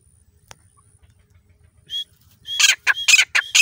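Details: Grey francolin (desi teetar) preparing a place to lay eggs: after two seconds of near quiet, one short rising note, then a burst of loud, harsh, raspy notes in quick succession, about five in just over one second.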